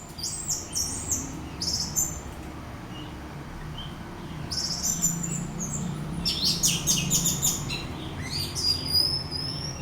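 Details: Orange-headed thrush lure song to spark teler singing in another bird: clusters of high chirps and squeaky notes in separate bursts, with a thin sustained whistle near the end, low hum beneath.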